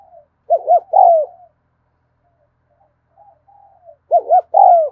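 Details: Spotted dove cooing in 'thúc gù' style, recorded in the afternoon: two phrases of two quick short notes leading into a longer downslurred coo, with soft low murmurs in between.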